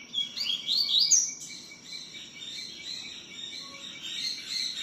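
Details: Double-collared seedeater singing repeatedly, the song rendered "tui tiu": quick high twittering phrases with sweeping slurred notes early on, fading into softer warbling over steady low background noise.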